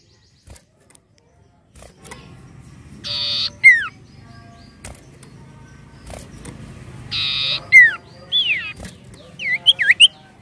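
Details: Common iora, an untrained 'bahan' bird, in a lure recording: a harsh buzzy one-second rasp followed by a sharply falling clear whistle, given twice, then a quick run of hooked, bouncing whistled notes over a faint low hum.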